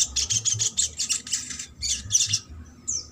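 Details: Little Spiderhunter song used to stimulate silent or lazy spiderhunters to sing: fast, high, stuttering chatter in quick bursts about every quarter second, a short pause, then a final sharp note.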